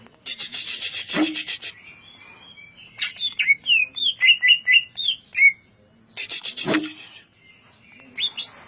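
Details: Greater green leafbird delivering rapid ngentrok song: a string of short, bright whistled notes repeated about every half second between bursts of wing-flapping noise, ending with a few higher chips.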